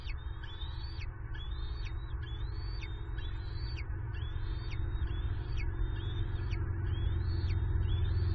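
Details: Bald eaglets in a Southwest Florida nest at dusk on 14 March 2023, squeeing as an adult male lands nearby, hoping for a late food delivery: thin, rising, whistled squeals repeated about once a second over a strong low rumble.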